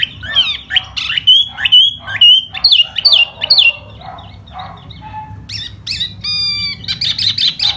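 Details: A laughingthrush sings and spreads its feathers in spring, with looping whistles slurring up and down, a quieter stretch, then harsh squawking notes and a rattling close.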